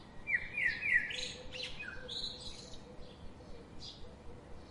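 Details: Birds giving a rapid run of sharp, high chirps at the start, then scattered thin twitters and short high notes fading out, with a faint steady hum underneath.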